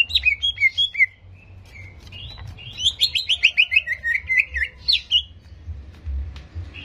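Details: Greater green leafbird song used to stir aggression: clear whistled phrases open, then a tumbling, rapid series of bright descending chirps and trills, ending with a few sharp notes over a low background hum.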